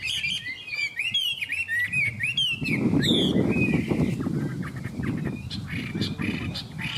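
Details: Chinese hwamei from Vietnam, praised for its singing: bright slurred whistles and rapid trills for about two and a half seconds, then a loud low rumbling and flapping noise that masks softer notes.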